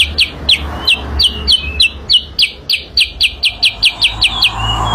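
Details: Sooty-headed bulbul singing as a lure. Spaced, clear downslurred whistles come slowly at first, then tighten into a quicker run of repeated notes over a faint low rumble.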